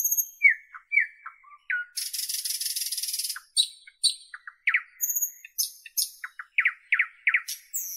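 A nightingale sings a rich, varied phrase: thin high whistles, a dry buzzy rattle, then a burst of quick, repeated, chirping notes.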